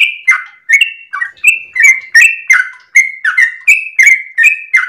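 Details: Yellow-vented bulbul (trucuk) giving its long 'gacor ropel' song early in the morning, played to stimulate and tutor domestic birds: ringing, slightly buzzy whistled notes, alternating higher and lower, tumbling on steadily.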